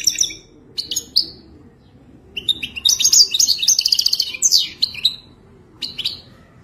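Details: Goldfinch in Wadani-style mating song: scattered sharp chips, then a dense run of liquid twitters and fast trills, ending with a few isolated high notes. A soft background hum continues throughout.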